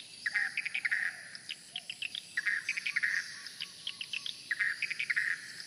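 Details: Numerous swiftlets at the nest entrance hole make clusters of quick, sharp chirps and twitters, some faint lower slurred notes beneath, with a constant high buzzing hum in the background.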